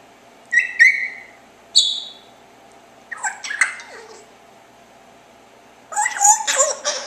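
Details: Indoor pet parrot making chirping noises: clear whistled chirps and squeaks in several bursts, some rising and some falling, ending in a denser harsh chattering run, against a low background hum.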